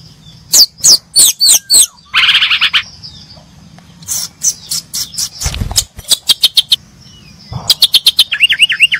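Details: Brown-chested jungle flycatchers chirping: runs of sharp, high clicking notes, a short buzzy burst, then a quick series of ticks and a closing string of wavering, looping whistles.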